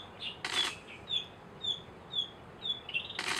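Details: Narcissus flycatcher giving short, high, thin whistled chirps about every half second, some with a slight downward slur, with two brief broadband rustling bursts near the start and end.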